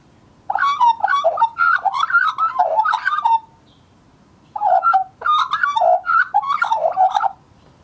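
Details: Juvenile Australian magpie, wild bird holding territory nearby, recorded in 2014, warbling: two long bursts of rich fluting, gurgling notes mixed with sharp clicks and buzzy overtones, separated by a second of silence, otherwise quiet.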